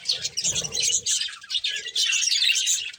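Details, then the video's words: Short stretch of budgie chirping from a breeding pair at feeding time, high chattering notes with a brief low rumble at the start. "Beautiful Budgies Chirping Sounds"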